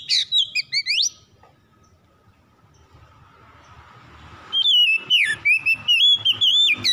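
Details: Kacer (oriental magpie-robin) song played to coax a silent bird into singing: a burst of sweeping whistles, a quiet gap with soft background hiss and rumble, then a lively run of repeated short whistled notes and rising slurs.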